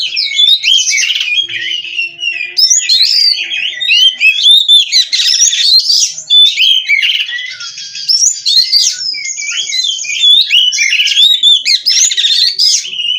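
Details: Oriental magpie-robin (kacer) from a breeder, singing nonstop: a rich, fast medley of varied whistles, rising and falling slurs and harsh chattering notes, delivered almost without pause.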